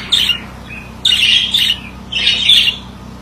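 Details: Male budgie singing in three distinct bursts about a second apart, each a raspy, chattering warble with squeaky high notes, quiet room between phrases.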